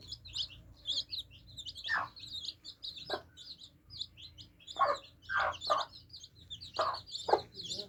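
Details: Baby chicks drinking, with a constant chatter of thin high peeps from many birds and a series of sharp pecking knocks, clustered in the second half.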